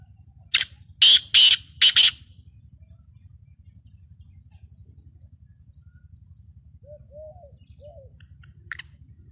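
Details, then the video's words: Kala teetar, a black francolin of the Lakka nasal strain, described as rare: a loud grating phrase of one short note and two pairs of harsh notes opens, then quiet with a few soft low notes and a sharp click. "A Rear Black Francolin Lakka Nasal Ka Kala Teetar ki Awaz"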